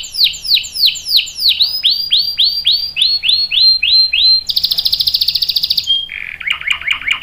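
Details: Canary singing a run of repeated downward-sweeping chirps that speed up, then a very high rapid trill, a single whistled note and a burst of quick warbled notes.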